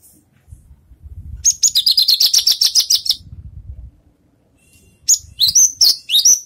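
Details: Javan bush lark out of moult and rehearsing songs: a long, fast, high trill of clipped repeated notes, then a run of quick descending whistled sweeps, with low rumbling noise in the background.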